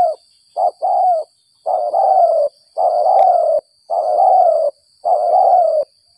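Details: Spotted dove caught by trappers after rain, of the gagap 6 mata style, cooing steadily: two quick short hoots, then five long, mellow, slightly falling coos, each about a second long and evenly spaced.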